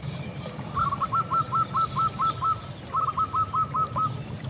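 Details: Zebra dove, a local bird in persistent song, meant to provoke other doves to answer; two quiet bursts of rapid hooked coos, seven and then five notes, over steady low rumbling background noise.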